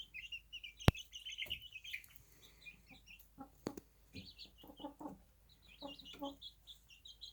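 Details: Baby chickens on a small farm settling before night rest; bursts of high thin peeps come and go between quieter gaps, mixed with soft low clucking notes and a sharp knock near the start.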